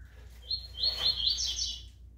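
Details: Double-collared seedeater, pardo plumage, giving a short, softer high warbled phrase that rises and buzzes over noticeable background noise.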